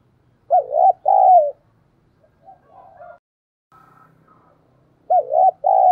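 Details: Lure recording of a spotted dove to make another dove coo quickly: a loud two-part coo, quieter soft coos in between, then the loud paired coo again.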